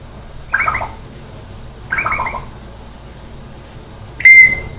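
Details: A pet African grey parrot, showing off a playful funny noise, gives two short, harsh, raspy squawks about a second apart, then a clean, high electronic-style beep like an appliance alarm.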